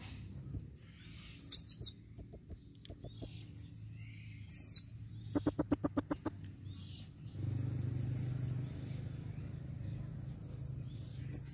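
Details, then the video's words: Female blue-crowned hanging parrot calling: very high, thin squeaky notes given singly and in quick pairs, then a fast burst of sharp clicking chips, with a low hum underneath. "serindit betina memanggil"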